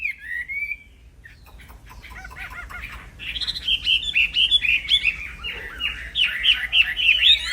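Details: Black-throated laughingthrush in unbroken training song: one opening whistle, a quieter stretch of faint ticking notes, then a rapid crescendo of loud whistled chatter for the last half.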